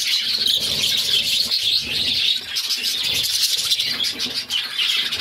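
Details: Hungry budgie chicks begging during feeding by their mother, six in the nest; unbroken shrill, buzzy chatter with slight swells and dips in loudness.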